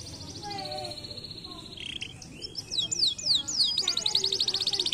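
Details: Canary song meant to stimulate lazy canaries: a held high whistle, a harsh brief note, several quick downward whistled strokes, then an extended rapid rolling trill.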